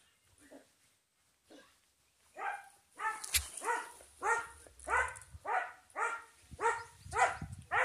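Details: Turkey calling: a rapid series of rattling, throaty gobbling notes, about nine bursts in five seconds, getting louder and then holding steady, with a faint high hiss in the background.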